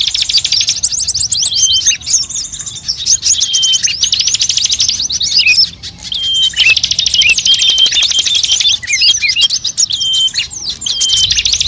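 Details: Lure recording meant to attract all kinds of birds, mixing calls of many species: dense, high, overlapping chirps and fast buzzy trills, with brief whistled notes and two short pauses in the chatter.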